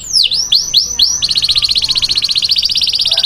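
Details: Taghreed canary song for training chicks: several deep swooping whistles followed by a fast even rattling trill of bright repeated notes.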